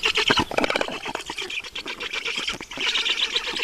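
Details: Black storks calling at the nest in Estonia, 5 June 2019, 20:28, during a water delivery: rapid hoarse squawking, loud at first, dipping briefly mid-way, then swelling again into a steady rasping chorus.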